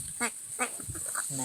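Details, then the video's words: Talking crow in Palghar mimicking words such as 'kaka' and 'baba': hoarse, voice-like syllables with stacked overtones, two short clipped ones about 0.4 seconds apart, then a longer drawn-out syllable, over steady background hiss. "Palghar Talking Crow काका बाबा पालघरमधील बोलणारा कावळा"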